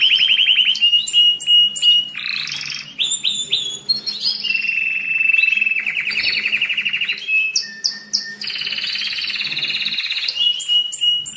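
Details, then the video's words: Dense domestic canary song, a recording for teaching young birds and stimulating breeding during the molt and rest phase. Rapid trills, rolls and clipped chirps alternate, with a lower steady whistle partway through. "تغريد الكناري للتسميع في مرحلة القلش و الراحة"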